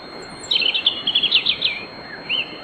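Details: European robin's pre-dawn night song in a riverside grove at Bóveda, Lugo: a high, rapid tinkling trill of jumbled notes lasting about a second, followed by a short pause and a single thin rising-falling whistle, with soft background hiss.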